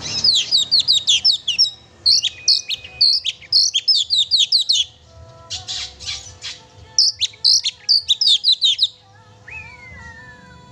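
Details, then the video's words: Oriental magpie-robin in lively song, played to provoke a pet bird: dense strings of sharp high chirps and twittering phrases, a short pause with scratchy notes, then more chirping and a final falling whistle. "kacer gacor sangat cocok buat memancing emosi burung kacer kesayangan kamu"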